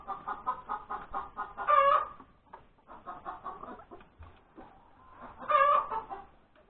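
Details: Domestic hen that has just laid an egg, recorded at breakfast time on Sunday, January 31, 2021. Rapid clucks build into a loud stretched squawk twice, with some low background rumble.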